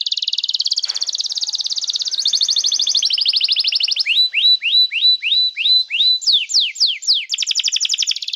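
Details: Canary song used as a tutor for young birds: extended rapid high trills, then about eight repeated hooked whistles, a few steep falling sweeps, and another fast trill.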